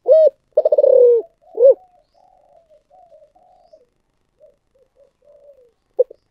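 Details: Spotted dove calling in the giọng thổ sấm manner: an opening coo, a rolling pulsed coo descending in pitch and a rounded coo, followed by several seconds of low soft murmuring notes and one short coo at the end.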